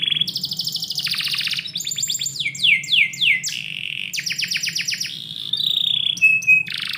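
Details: Indoor canary in the morning, varied song of buzzy trills, falling slurred whistles, rapid staccato notes and a high steady whistle, each tour lasting about a second.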